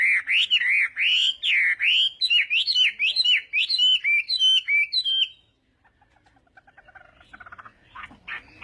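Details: Chinese hwamei at morning singing practice for duels: five seconds of rapid, loud, repeated whistled slurs, then silence and faint soft notes.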